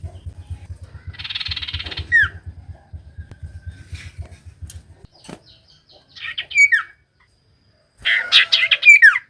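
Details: Common iora song for coaxing reluctant birds to sing: a steady low rhythmic mechanical pulsing underlies a buzzy burst, then downslurred whistled notes and a final burst of chatter and falling whistles.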